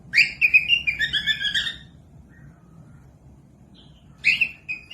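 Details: Cockatiel warbling meant as tutoring sound for parrotlets: a quick string of about eight bright, slurred chirps lasting under two seconds, silence, then a brief return of two sharp whistled squeaks.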